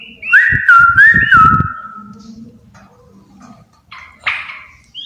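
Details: One of a pair of yellow-vented bulbuls gives a short whistled phrase of looping, up-and-down notes over heavy low thumps, then the song fades to faint murmurs and a single harsh burst.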